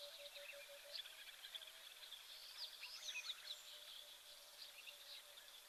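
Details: Emerald-spotted wood dove calling in the background at an African waterhole while an elephant browses nearby: soft, low coos in a quick run of short notes, faint behind a dense, high-pitched chorus of insects and small birds.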